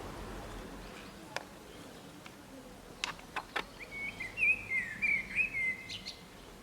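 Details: Common blackbird singing from an antenna in the town centre of San Martín, Zamudio, Txorierri, Bizkaia, on 23 April 2019; a short warbled, twittering phrase of high fluty notes arrives midway, preceded by a few sharp clicks, over steady background noise.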